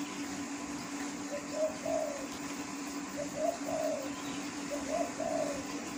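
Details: Wild spotted dove cooing: soft, low, hollow phrases of three or four notes, repeated about every one and a half seconds, faint over a steady background hum and distant noise.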